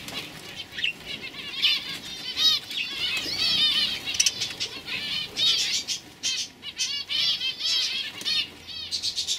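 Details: Group of 2015 young canaries warbling continuously, high rolling trills and chirped phrases overlapping one another, swelling louder in the middle and staying busy throughout.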